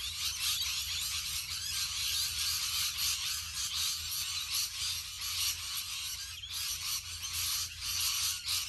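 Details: A huge flock of rainbow lorikeets in Australia, countless harsh screeches and high chattering notes merging into a loud, steady clamour with short pulsing surges.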